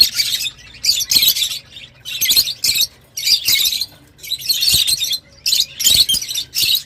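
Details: Lovebirds chattering in shrill, harsh bursts of high squeaks and chirps, each burst lasting about half a second and coming roughly every second, with a faint low hum underneath.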